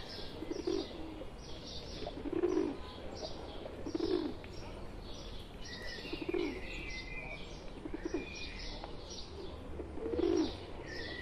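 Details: Pigeons in India, a domestic bird among a wild flock, coo in low bursts roughly every two seconds, with higher chirping and whistling small birds throughout.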